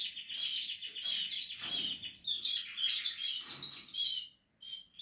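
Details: Portuguese harlequin canary building a nest, singing a dense stream of bright high twittering and fast trills, pausing briefly near the end; light rustling sounds below.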